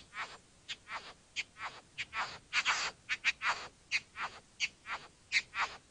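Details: Bowerbird giving a string of grating, hissing churrs, short rough bursts coming unevenly more than once a second, over a constant faint hiss.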